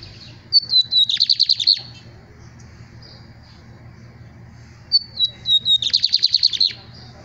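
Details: Lined seedeater song: a high thin whistle sliding downward, then a rapid buzzy trill of about a dozen pulses. The whole phrase repeats after a pause of roughly four seconds over a quiet low hum.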